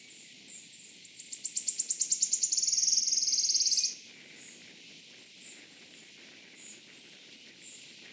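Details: June 2024, Gilfach Nature Reserve in mid-Wales: a Wood Warbler gives its characteristic song, sharp high notes quickening into a loud, silvery, gradually falling trill near three seconds long, then sparse soft high calls.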